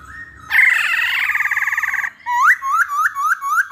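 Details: Masked laughingthrush lure song: a harsh, rattling chatter, then a quick run of rising whistled notes.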